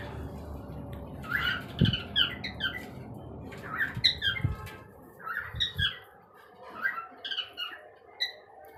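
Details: A colony of pet cockatiels kept indoors calls in overlapping harsh squawks and chirps (contact calls), with low thumps in the room.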